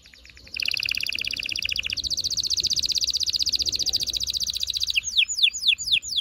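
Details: Canary singing to prepare females and stimulate males for breeding: a long fast buzzing trill of rapidly repeated high notes, ending with several sharp downslurred whistled notes.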